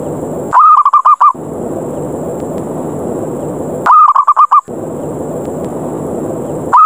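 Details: Zebra dove challenging others to fight with a ngerot ngayer lure call: two full stuttering coo phrases about three seconds apart and a third starting at the close, with constant background hiss.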